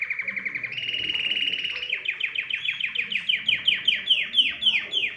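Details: Canary singing a loud, clear song: a fast buzzy trill near the start, then a long run of rapid repeated downslurred notes at about three to four per second, all high-pitched.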